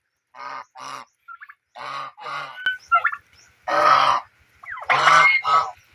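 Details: Honking geese splash and play in water, calling in grouped pairs of rough, buzzy honks spaced by short pauses, with faint ticking in the background.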